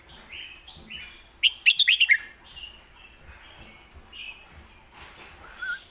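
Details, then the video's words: Red-whiskered bulbul kept in a cage in Thailand, performing lak wai versus mae bot style song: soft whistled phrases lead into a loud, rapid cluster of bright chirping notes, then quieter, scattered warbles. "ที่เด็ดทั้งคู่"ลากหวายVSแม่บท(Bulbul bird Thailand)"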